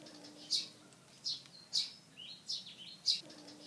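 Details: A pied fantail perched in a tree, fanning its tail like a peacock, gives sharp, high chipping notes, one roughly every 0.6 to 0.8 seconds, with soft twittering between them over a quiet background.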